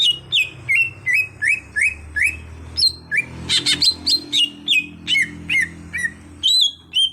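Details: Cucak hijau (greater green leafbird), a kept bird turned into an active singer, pours out a fast, continuous string of bright whistled notes, several swooping down, with a dense chattering burst midway.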